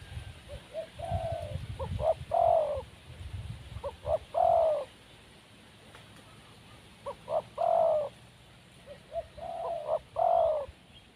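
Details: Spotted dove in the wild cooing in four spaced phrases, each built from a soft lead-in coo, short double notes and a loud drawn-out coo, with a pause of a few seconds midway.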